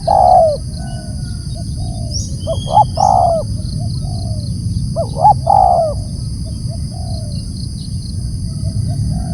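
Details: Loud calling of a spotted dove, with repeated phrases of two clipped coos and a drawn-out, gently descending coo. Fainter softer coos fill the gaps, and a steady low background hum runs throughout.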